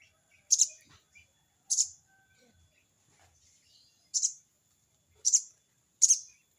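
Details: Crested jay giving its 'crecet' call to a rival: five scratchy, buzzy bursts at uneven intervals over nearly seven seconds, with faint soft rustles beneath.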